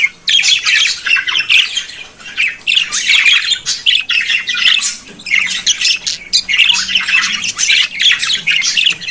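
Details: Lively budgerigar warbling, dense runs of scratchy squawks, clicks and chirps in waves lasting a second or two, almost without gaps, over a soft low hum.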